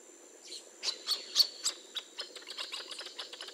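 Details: Wild Northern Jacana (Jacana spinosa) with hatching chicks and a male brooding young; high thin peeps in an irregular series, louder in the middle then fading into quicker soft notes.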